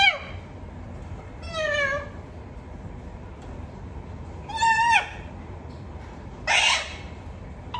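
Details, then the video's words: Talking parrot giving harsh, harmonic calls with rising and falling bends, about four loud bursts in eight seconds, one broad screechy burst near the end, over steady low background noise. "Talking Parrot"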